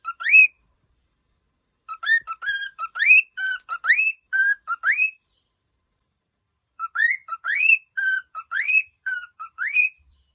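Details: Pet cockatiel singing happily, a cheerful bird: clear whistled notes, many rising upward slurs mixed with short level whistles, delivered in two bursts of several seconds separated by a silent pause.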